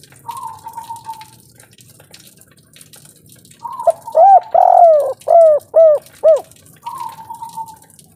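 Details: Local 'kuk 3' spotted dove calling forcefully: thin level whistles at the start and end frame a single phrase of about six hollow coos, one long and falling, the rest short and rounded.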